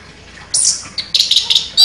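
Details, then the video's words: Contest champion orange-headed thrush (anis kembang) singing in a sharp, shooting style. High whistled notes are followed by a cluster of bright, quick chirps and a loud closing whistle. "ANIS KEMBANG JUARA NEMBAK TAJAM"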